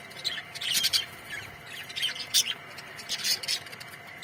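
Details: Colony of Australian budgerigar parrots singing: clustered high, sharp chirps and squeaky warbles coming in quick bursts, several birds calling together.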